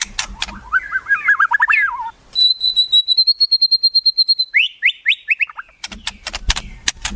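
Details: White-rumped shama singing wild-bird imitations: a warbled wavering phrase, then a long steady high trilled whistle lasting two seconds, falling whistled notes, and sharp dry clicks to finish.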